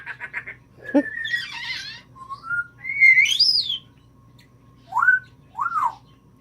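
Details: Pet African grey parrot, female, kept indoors as part of a home flock, giving a run of varied whistles and squawky imitations: rapid chirps, a buzzy burst, rising and falling whistled phrases, then two short swooping notes.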